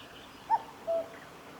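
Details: A single cuck-oo from a common cuckoo, Kitafuji Maneuver Area, Japan, 15 July 2019: a short higher note, then after a brief pause a longer, flat lower note, over soft background hiss.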